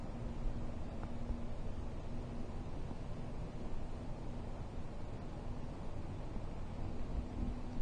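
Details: Steady broadband outdoor noise with a low hum and faint rumble throughout, no animal calls heard.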